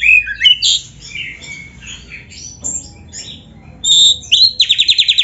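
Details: Richly varied training song of a lively oriental magpie-robin: jumbled high whistles and scratchy notes, a clear pure whistle, then an evenly spaced series of six or seven quick, sharp rising notes.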